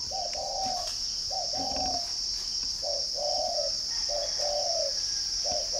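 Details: In a dove-keeping garden at Ba Vì, Hanoi, a caged spotted dove repeats five mellow coo phrases, each a clipped note followed by a fuller falling one, at uneven intervals, while a shrill insect hum runs throughout.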